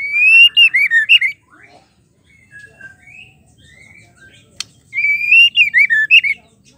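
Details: Female white-rumped shama (murai batu), its call meant to make males sing: two bursts of loud, wavering whistled phrases separated by a quieter stretch of soft slurred notes and one sharp tick.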